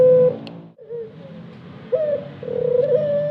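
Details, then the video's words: Ornamental dove calling indoors: a steady, drawn-out cooing note, broken by a short pause, then rising again into longer sustained coos, with faint background hum. "Suara Khas Burung Puter Hias"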